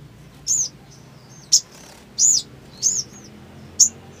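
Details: Black sunbird (sogon), a bird in breeding condition singing hard in 'ngleper' style: five high, slurred chip notes spaced unevenly, some short and clipped, others drawn out and arched.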